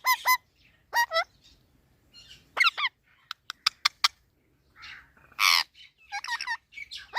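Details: Green parrot, said to talk, uttering short bursts of harmonic squawks with quavering stepped notes, separated by silences and a cluster of sharp clicks, plus one loud harsh, noisy squawk midway.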